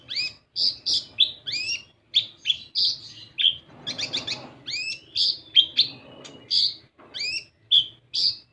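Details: Olive-backed sunbird (kolibri ninja) lure to make other birds sing: long, rapid sequence of high chirps and bent whistled sweeps, with a brief burst of rustling noise midway, then chirping resumes.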